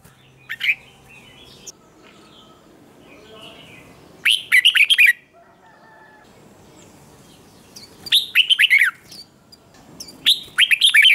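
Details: Red-whiskered bulbul contest song used to get other bulbuls singing: a few isolated chirps, then three separate bursts of rapid, warbling notes about every three seconds, each phrase falling slightly at its end.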